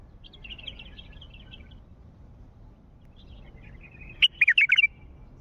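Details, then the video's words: Wild Mandalawi bulbul: a soft warbling twitter at first, a pause, then a sharp note and a loud rapid phrase of four or five liquid, rising and falling whistles. "ندهات بلبل وحشي مندلاوي"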